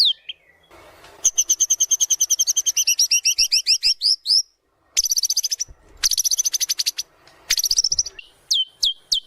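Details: Lure song of a white-rumped shama for bird training: long fast rattling trills broken by short gaps, ending with three sharp, downswept whistled notes.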